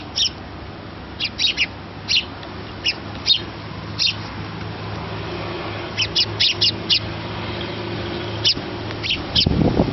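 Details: Sparrow chick clamouring for food from its parents, giving short high chirps in loose clusters, singles and quick doublets, with a pause mid-sequence; a low hum and a brief noisy rustle near the end.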